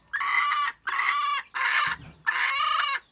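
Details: Four loud, rasping, broadband calls from a wild red junglefowl hen, 27 January 2015. Each lasts about half a second, separated by brief pauses, with a low thud near the third.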